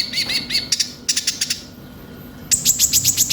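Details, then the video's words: Konin sunbird song played as a lure for a young bird: quick stuttering high chirps in short bursts, a pause, then a fast piercing series of very high notes about four per second. "Pancingan suara burung konin bahan cepat gacor"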